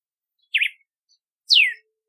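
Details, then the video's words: Red-cowled cardinal giving two loud whistled phrases, a quick zigzag note followed by a long downward slur, on a quiet background. "Canto do Cardeal do Nordeste / Galo de Campina / Campina | Red-cowled Cardinal | Paroaria Dominicana"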